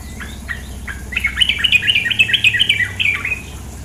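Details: Running water accompanies a female sooty-headed bulbul, used as therapy audio to get kept birds singing: several sharp chips lead into a rapid, uneven chatter of bright two-part notes lasting about two seconds.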